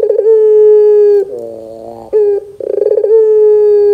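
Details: Barbary dove lure call meant to get young doves to answer: a fast rolling trill into a long steady mid-pitched coo, a lower softer wavering note, then another rolling burst and sustained coo.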